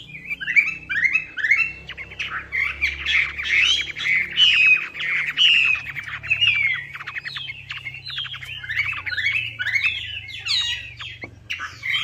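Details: Hwamei song for luring, a long, lively sequence of sweeping, slurred whistles and quick notes, set against a steady low rumbling background noise.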